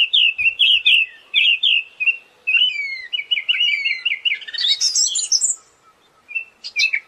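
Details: Siberian thrush singing, a tutor recording for songbirds: continuous chattering warble of quick repeated notes, a few clear descending whistles, rising to a jumble of high sharp notes before a pause and a final short phrase.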